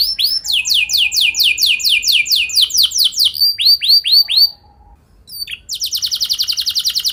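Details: Local-bred canary song used to prompt other canaries into long rolling song: a fast run of repeated downslurred whistles, then a brief pause and a rapid, even buzzy trill.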